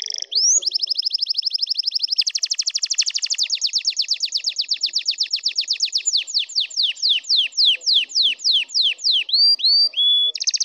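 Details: Canary singing to excite and prepare birds, with a short buzzy note and upswept whistle, then a long rapid rolling trill that slows into a series of descending whistled slurs.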